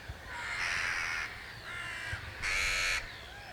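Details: Jackdaw alarm calls played back to wild birds, the same number of calls as before but now from five different individuals, since more jackdaws join a mob when more callers are heard; three harsh, rasping bursts, each about half a second long, with faint background noise.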